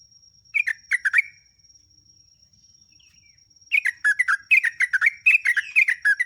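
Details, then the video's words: Lure song of a Sooty-headed bulbul for tutoring caged birds: a short burst of bubbly chirps, about two seconds of quiet, then a lively, jerky string of quick, warbled notes. A thin steady high tone sounds behind. "JOGJOG/TRUCUK GACOR, KICAUAN MANTUL"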